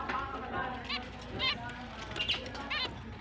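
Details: Finches starting their mating season on October 29, 2023, chirping happily: spaced, nasal, slightly rising chirps about every half second, some overlapping, against a noisy background with a faint voice.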